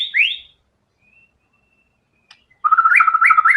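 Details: White-rumped shama in vigorous song with learned filler material: a rising whistled sweep, a pause, then a fast, rattling series of repeated notes broken by small upward flicks.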